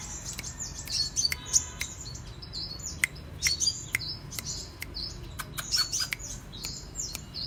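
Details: Sunbird known locally as kolibri raja, singing energetically in cetrekan style: a dense run of very high, thin twittering trills broken by sharp clicks, with a short rapid ticking series early on.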